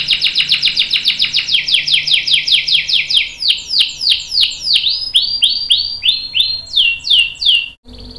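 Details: Canary singing a long rolling song used as training for young and adult canaries: rapid repeated downslurred notes in fast trills, slowing into broader sweeping notes near the end, clean high-pitched phrases with little background.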